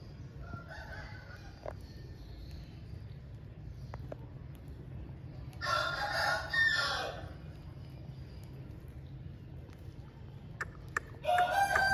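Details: Aseel rooster crowing after rain. A long harmonic crow of about one and a half seconds, a quiet pause with scattered ticks, then a second crow starting near the end. Low hum underneath.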